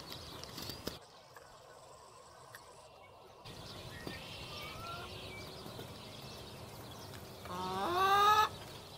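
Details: A wild Indian blue peacock wandering around a farm gives a single loud, nasal, rising call near the end, after a stretch of soft rustling background noise.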